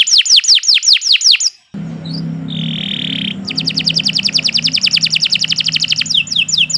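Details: Canary's nonstop master song for training: quick falling whistles, a pause with low background hum and a short buzzy note, then a long fast rattling trill.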